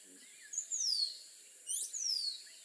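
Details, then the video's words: Two high, clear whistles from a rose-throated becard, each one briefly rising and then gliding smoothly downward, given about a second apart against a soft hiss and faint low sounds. "Rose-throated Becard Bird Song"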